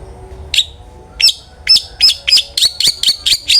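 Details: Long-tailed shrike singing in the ngeplong style, used as a lure to get other shrikes to sing more: sharp high notes that start sparse, then come faster, roughly every quarter second, growing louder toward the end.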